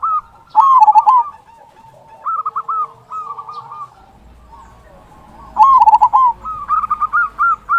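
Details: Local zebra dove singing a loud "kung" lure song to prompt other zebra doves into song; loud quavering coo bursts at the start and near the end, with lighter, evenly spaced coo phrases between them.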